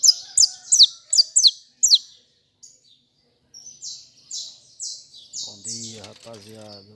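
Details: Saffron finch, hand-held, giving fibra song: six fast, sharp, falling high notes, then a pause, then drawn-out buzzy notes at steady intervals while a man starts talking near the end.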